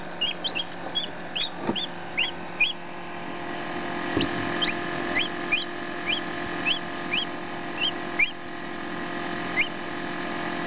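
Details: Baby chick ten minutes after hatching, recorded close up alongside a one-day-old chick: quick high peeps, closely spaced at first and then slower, softer and more spread out, over a rising hum and rumbling background noise.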